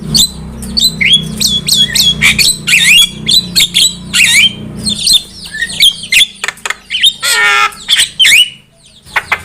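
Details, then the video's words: Javan myna song used as a lure for trapping: a loud, busy medley of harsh squawks, chattering notes and whistled, rising and falling phrases with frequent short gaps, over a low hum during the first half. "Pancingan suara burung jalak kebo gacor"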